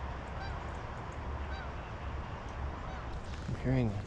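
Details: Geese migrating overhead at Mill Pond Park, central Michigan, on a chilly fall morning; one loud, rich honk near the end, with faint thin bird notes and a low background rumble.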